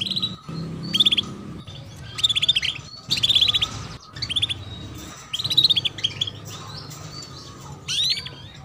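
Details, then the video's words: Female canary giving its "cuit cuit" chirp to encourage young birds to sing: rapid, high chirp clusters repeated every second or so, each a quick stuttering run of notes, with a soft hum behind. "PANCINGAN Kenari BETINA Cuit Cuit"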